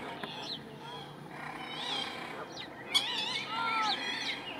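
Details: Moorhens protecting their young and territory: overlapping sweeping whistles and harsh, rasping notes with layered harmonics, rising and falling, with one sharp burst near the middle, over steady background hiss.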